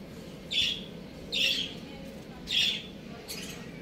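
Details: Young roosters playing at home give four loud, harsh, high squawks spaced about a second apart, over a low steady background hum.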